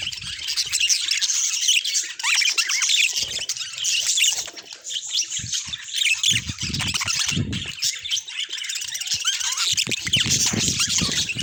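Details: Budgerigar flock in a natural recording: constant high warbling and squawking chatter, with scattered low thuds and rustles, like wing flaps or movement, breaking through in places.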